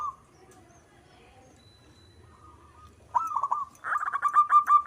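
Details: Local zebra dove singing actively: quiet faint cooing at first, then a loud wavering coo and a fast, rhythmic run of staccato cooing notes that swell in strength to the end.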